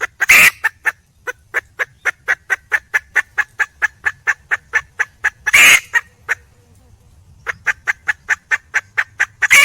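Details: Red junglefowl hen calling to attract a male. Long runs of rapid, evenly spaced clucks alternate with sudden loud, grating squawks, with a brief quiet pause before the clucking resumes.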